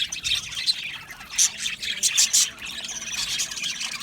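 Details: Budgies in an aviary colony singing and chirping: a busy wash of high, raspy warbles broken by a few sharp, piercing chirps that stand out clearly around the middle.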